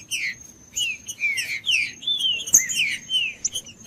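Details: Green-winged saltator song meant to warm up a non-singing bird: clear whistled notes sliding down and up in a slow, spaced sequence, ending with a few short chirps, alongside a steady high-pitched hum.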